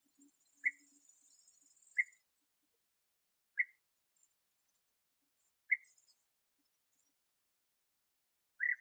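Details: Bee-eaters around the last brood burrow where young are still fed, sunny 21°C, 8 August 2017; five single rolled calls spaced a second or two apart, with a thin high hiss early on.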